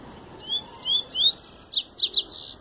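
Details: Double-collared seedeater, just out of molt, delivering pure Tui Tui song: a series of rising whistles stepping higher, then quick falling buzzy notes repeated about five times and a closing rough burst.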